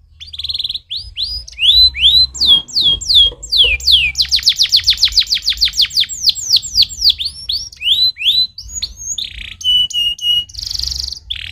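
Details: Strong stimulating canary song: rising whistles, descending slurs, a long rapid rolling trill of steep downward notes, then varied whistles and a buzzy phrase at the end; a voice says thanks afterward.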